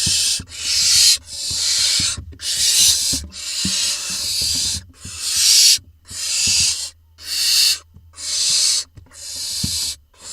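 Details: Barn owl nestlings in a nest box camera in Israel, June 2021, a brood that once held seven, the smallest having died; harsh broadband rasping hisses repeated about once a second in long bursts, with low knocks and scratching inside the box.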